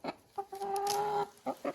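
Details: Laying hen among three in a frosty-weather coop, said to be talking because she has started laying: short clucks, then a long steady drawn-out tone lasting most of a second, then two more quick clucks.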